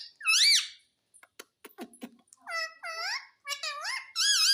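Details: Talking Indian ringneck parakeet, a pet that says mummy and papa: loud harmonic squawk, a run of sharp clicks, then several arched voice-like syllables in quick succession indoors.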